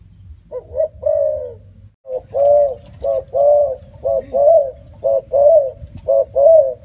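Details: Spotted dove cooing steadily, short low notes alternating with longer rounded hoots in a fairly regular rhythm, roughly one per second, with a faint low hum.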